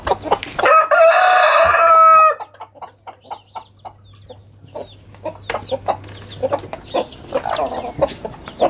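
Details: Domestic chickens rushing out of their coop into a garden in the morning: a loud, harsh, sustained crow of about one and a half seconds, then a run of short, quick clucks from several birds.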